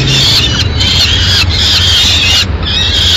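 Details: Loud, scratchy, drawn-out calls at a peregrine falcon nest in Madrid on 6 May 2016 as the female brings in a pigeon. About four harsh wails are broken by brief gaps, over a low steady hum.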